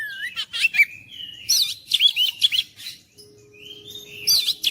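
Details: Oriental magpie-robin singing to rouse a mute bird: rising slurred whistles, clipped chirps, then looping upswept notes in quick succession, a pause with a faint steady tone, and a final burst of chirps.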